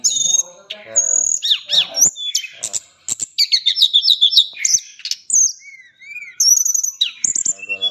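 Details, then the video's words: Chattering, varied song from a tame white-flanked sunbird kept as a tutor bird for other songbirds: rapid high chips, trills and upslurred whistles, about three notes a second, uneven rhythm. "Tledekan gunung gacor jinak ngobra full isian cocok buat masteran burung kesayangan"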